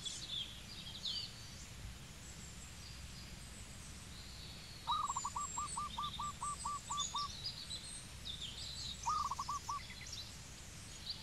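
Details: Zebra dove in Cambodia delivering a long run of about ten even, staccato cooing notes, then a shorter four-note phrase, with other birds chirping high in the background.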